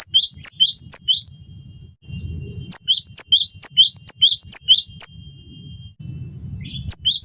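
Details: Cinereous tit (gelatik batu) in lively song on a tutor recording: short runs of repeated high-falling-to-lower whistled pairs, about two per second, broken by pauses with low rumble and a faint steady tone beneath.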